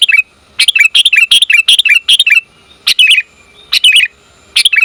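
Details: Sooty-headed bulbul female calling to the male, a lure recording: a lively rapid series of about eight harsh double chirps, a brief pause, then further chirping groups.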